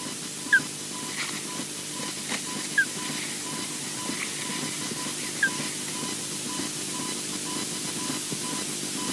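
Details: Osprey at the Loch Garten nest, as the male lands on the female EJ's back: three short, sharp downslurred chirps a couple of seconds apart, against steady broadband hiss and a faint hum.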